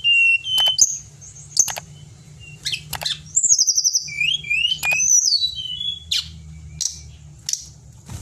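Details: Caged pied bushchat, kept as a song-bird master recording, giving high whistled and buzzy phrases with rising and falling slurs, broken by sharp clicks, over a low steady hum.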